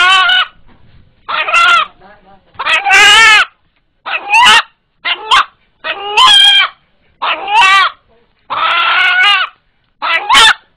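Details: A pet village rooster with unusual teeth gives the call it makes when frightened, likened to "Allah Allah": loud, harsh two-part squawks with wavering pitch, about eight bursts in ten seconds, separated by short pauses.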